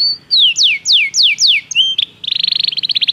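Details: Belgian canary training song: a short whistle, then five loud descending slurred notes, a couple of chips, then a fast, evenly pulsed bubbling trill.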